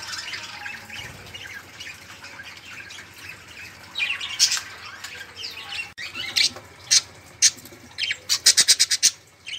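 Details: A busy chorus of caged budgerigars, used as a prompt for silent songbirds, murmurs low at first, then sharp squawks and a fast burst of clicking chirps break out toward the end.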